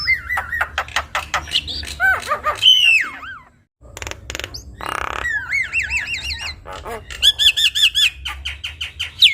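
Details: Javan myna in full, lively song with rich fill-ins, kept as a tutor recording for young mynas to copy: varied loud whistles swooping up and down, rapid clicking and rattling bursts, a short pause, then wavering trilled whistles.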